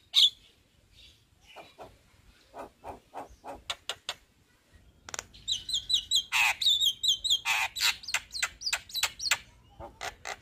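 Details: Male Javan myna in full voice delivering a long rolling song: scattered sharp clicks and harsh notes, then a dense run of rapid, buzzy chattering phrases mixed with repeated high whistled trills over the second half.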